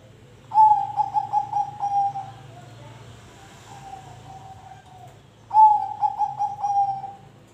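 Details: Zebra dove song meant to prompt other birds into singing: two loud phrases of quick, bubbly pulsed coos on one pitch, separated by a softer drawn-out coo, over a low steady background hum.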